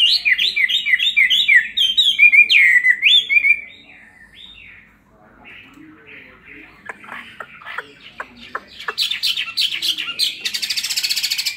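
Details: Caged Chinese hwamei, kept two years in a cage, giving a fighting song while fanning: rapid loud whistled phrases rising and falling for three and a half seconds, then quieter scattered notes and sharp clicks building again toward the end.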